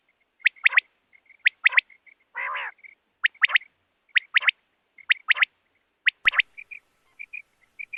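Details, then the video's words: Quail giving a steady series of sharp three-note whistled phrases, about one each second, with one lower, buzzy, nasal note mid-series, a single click, and soft chirps near the end. "don batair ki awaz|batair ki awaz|quail sound|صوت السمان |بٹیرکی آواز"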